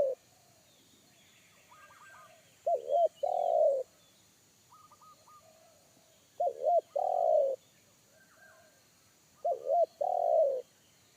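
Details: Deep bass wild spotted dove in forest, 'kuk satu' type, which made a trained lure dove back off; three evenly spaced phrases about four seconds apart, wobbly double coo then long coo, faint higher stutters between.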